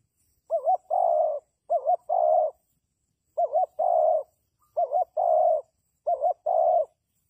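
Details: Spotted dove calling as a trapping decoy. Five phrases arrive at uneven intervals, each a quick wavering double note followed by a steady, sustained low coo. Nothing else is heard.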